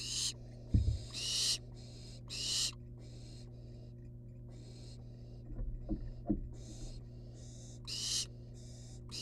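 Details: Several wild barn owl nestlings perched outside the nest box give overlapping raspy hissing screeches in quick succession, some loud and some faint, over a constant low electrical hum with occasional knocks and bumps.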